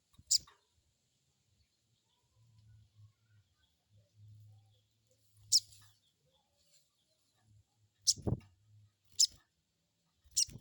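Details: Lure recording of the crested jay crecet call for prompting an untrained bird to reply: five isolated, sharp, high clicks spread over ten seconds, with a low hum and one dull knock in the background.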